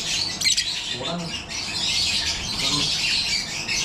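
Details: Many yellow-collared lovebirds (personata) in a breeding aviary chatter with sharp, overlapping high squeaks and squawks; a short knock near the start and a brief low voice around one second, then steady shrill flock noise.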